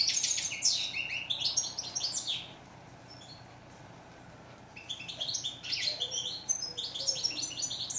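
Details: Goldfinch phrases of fast, high, silvery twittering with a buzzy edge, then a pause of several seconds before the bird resumes with similar chattering notes.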